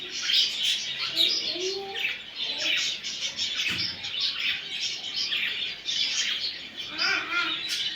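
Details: Budgerigar song used to encourage a male to breed: steady high twittering from several birds, with a few lower squawky notes early on and a brief soft thump near the middle.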